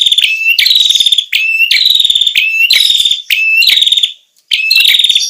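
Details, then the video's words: Ashy tailorbird (prenjak kepala merah) used as a lure sound. It repeats piercing, high, buzzy trills introduced by rising whistled notes, roughly every seven-tenths of a second. The series ends with a short silence and one more phrase. "suara pikat prenjak kepala merah"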